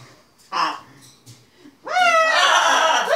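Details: Playing indoors with a tea towel and owners, a pet macaw lets out a loud, sustained harmonic wooooo after a few soft sounds and a brief voice.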